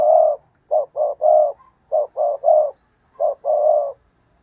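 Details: Spotted dove kept as a decoy, cooing in the stuttering 'gù cà lăm' style to provoke rival wild doves: three clear phrases, each of quick clipped notes ending in a longer steady coo.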